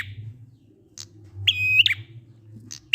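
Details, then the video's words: Prinia ngalun song meant to coax quiet prinias to sing: one full phrase of a thin high note, a buzzy sustained trill and a quick falling flick, with the next phrase just beginning, and a faint low hum. "Prenjak ngalun"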